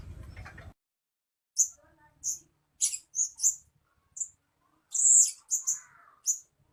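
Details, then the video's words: Blue-crowned hanging parrot lure sound: after a brief low noise at the start, piercing high squeaky notes come singly and in short groups, with one louder buzzy squeal near the end. "Suara-Suara Denak Pemikat Burung Serindit Dada Merah"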